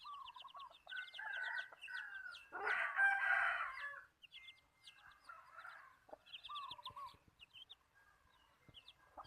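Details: Decoy chicken used to attract birds: a loud rasping crow in the middle, framed by busy chattering and chirping from small birds throughout.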